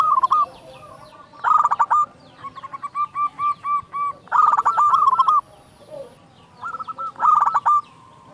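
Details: Local zebra dove with a big voice, singing to prompt other doves to sing: repeated phrases of rapid clipped coos ending in drawn-out notes, plus a run of evenly spaced soft coos. A faint high whine comes and goes.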